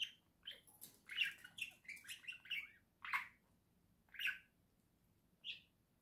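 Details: Caged pet budgerigar pair indoors, November 2024: a rapid run of chirpy, scratchy chatter early on, then single sharp squeaks spaced about a second apart, against faint background hiss.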